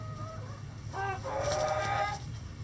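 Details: A rooster in a chicken sanctuary coop on a sunny day gives a moderately loud, hoarse crow. It rises and holds for about a second, with softer clucking just before it and a low hum throughout.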